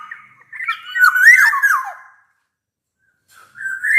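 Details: A black-naped oriole sings a bright, bamboo-flute-like whistled phrase with rolling, descending slurs, then falls silent before a short rising whistle begins. The song is meant to coax reluctant orioles into singing.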